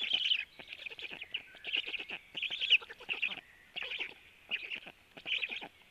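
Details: Black stork chicks at the nest at 12:01 while the male feeds them: short, shrill trilled phrases, some louder and sharper, spaced irregularly with quiet gaps and light clicking.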